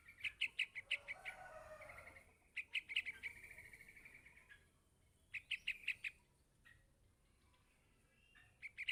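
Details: Yellow-vented bulbul chick calling for its parent with fast runs of piercing chips, a long buzzy trill, then shorter chip bursts after a quiet gap.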